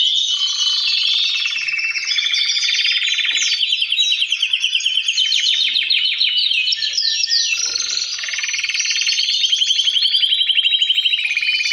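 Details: Male canaries chorus together to push birds toward breeding. Long mechanical-sounding rattling trills alternate with warbled passages, all overlapping, and a pulsing rapid roll swells near the end.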